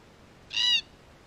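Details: A Red-tailed black cockatoo from a wild Australian flock exploring a camera gives a single loud, rasping screech lasting about a third of a second against a quiet background.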